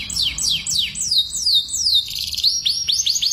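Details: Canary singing a mating song played to trigger breeding: a series of sharp descending whistled sweeps, a steady high buzzy roll, then short upward-hooked chips.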